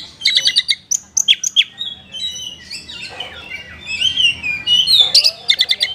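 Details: Oriental magpie-robin (kacer), a lively singer with a rich fill-in (isian) repertoire, played to rouse sluggish caged kacer into singing. Sharp high chirps and short trills come first, then sliding whistled phrases that rise and fall, ending in clipped notes.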